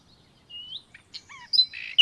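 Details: Common nightingale phrase of thin rising whistles, short slurred notes sliding downward, and a burst of harsh chirps ending in a sharp high note.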